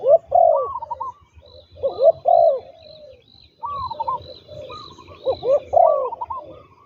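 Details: Trained spotted dove used as a ground decoy, repeating deep burry coo phrases roughly every two seconds, while a higher bird sings a steady series of short thin notes in the background.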